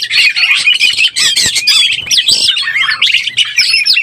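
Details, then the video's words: Lure song of an Oriental magpie-robin in breeding condition: fast, varied sequences of sweet whistles and harsher rasping notes, several slurred rising and falling phrases, with a faint low hum. "SUARA BURUNG KACER BIRAHI_SUARA PIKAT BURUNG KACER_ PALING AMPUH"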